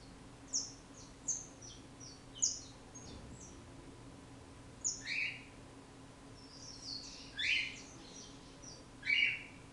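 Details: Saffron finch of Brazil, locally canario da terra, singing spaced bursts of high sharp chirps, then fuller phrases ending in lower, rich rising notes repeated about every two seconds, over a soft constant hum.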